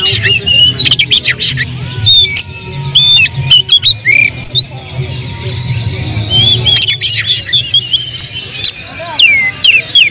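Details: Oriental magpie-robin in agitated song used to provoke other birds, alternating sharp whistled slurs, short harsh rasps and quieter warbling passages, with a steady low hum throughout.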